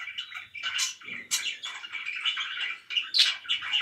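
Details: Pet budgerigars chirping, a fast jumble of squeaky warbles and a few sharp high whistles, continuous and scratchy throughout.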